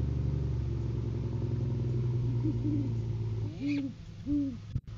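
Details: Great horned owls during courting season, male bringing food to the female; two clear arched hoots near the end follow softer faint hoots, over a steady low engine-like hum.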